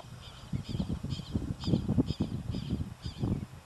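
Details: Greater rhea (Rhea americana) in Iberá Natural Reserve, Corrientes, Argentina, October 2010, giving deep, low rumbling pulses in quick succession, with faint high chirps repeating about every half second in the background.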